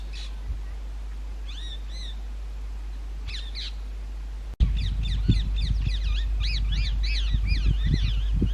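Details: Indian ringneck green parrots at summer nest holes in an old railway bridge: a few spaced screeches, then a sudden louder, rapid string of arched squawks from several birds, with low thuds mixed in.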